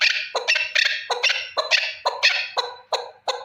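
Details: Male partridge, a lone bird, uttering a quick series of harsh, grating chuck-like notes, some doubled, in an irregular rhythm.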